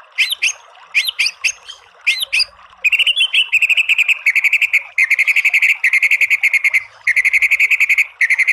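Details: White-rumped shama (murai batu) song: a few loud, clear whistled phrases with sharp upswept notes, then long bursts of fast, rattling repeated notes, the 'tembakan' style, running for about a second at a time.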